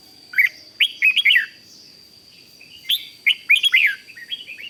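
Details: Red-whiskered bulbul, 'rik' style song to excite other bulbuls: a quick burst of bright warbled notes, a pause, then a second similar phrase trailing into softer notes, over a constant thin whine.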